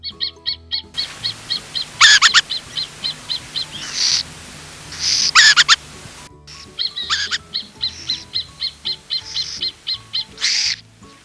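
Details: Burrowing owl, a desert bird living in ground holes, giving strings of quick, high, thin chirps, several a second, broken by harsh raspy screeches; soft low music hums underneath.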